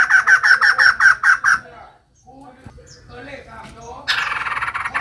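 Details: A female white-crested laughingthrush gives a rapid string of bright repeated notes, goes quiet for a moment with faint scattered calls, then starts another quick, ringing series.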